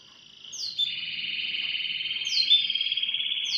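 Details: Sustained canary roll in the morning, a smooth fast trill held steadily and growing louder, broken by occasional quick high downward-sliding notes.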